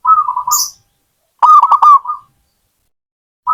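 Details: Zebra dove song with a soft wavering coo, then a louder rolled phrase of rapid pulsed mid-pitched notes that fades into a gentle trailing coo; a brief high chirp sounds early.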